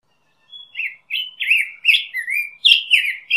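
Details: Black-headed grosbeak singing a quick run of rich, warbled whistled phrases that slur up and down, about seven or eight notes packed closely together after a brief silence, with a clean background and no other sounds.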